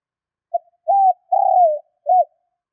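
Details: Newly caught doves are roused with this spotted dove cooing: one clear phrase of a tiny lead-in note, a curved coo, a drawn-out coo sliding down, and a short final coo, all at a steady low pitch.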